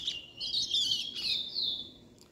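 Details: A nearly two-month-old chestnut-bellied seed finch (curió) chick, coaxed to sing, practises its song: rambling, slurred high warbles and twitters in quick bursts, ending in a long sweet whistle.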